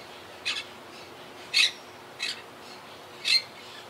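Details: Harsh grating squawks from a wild Quaker parakeet colony nesting high in trees near a yacht club, a colony halved by hurricane Irma in 2017; four rasping calls about a second apart, alternating louder and softer.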